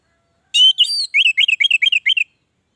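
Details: Orange-headed thrush song played to coax silent captive birds into singing; a long clear whistle opens, followed by a quick run of short rising-and-falling whistled notes in a steady rhythm.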